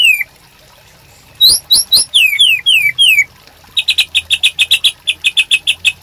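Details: White-rumped shama master song for training caged birds: a run of clear descending whistled slurs, then a fast, even series of about twenty short high chips, with a faint low hum underneath.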